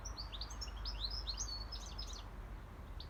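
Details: Wild European goldfinch singing in nature: a rapid jumble of high tinkling chirps and short twittering notes, steady low rumble of background noise.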